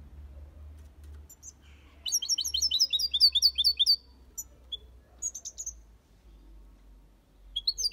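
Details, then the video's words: European goldfinch in an aviary singing the Malaga copy style: after a quiet start, a fast even run of high chirping notes, followed by scattered twitters and short trills. "Goldfinch song/ best chirping of the goldfinch | Jilguero Cantando copia malaga/ chardonneret chante"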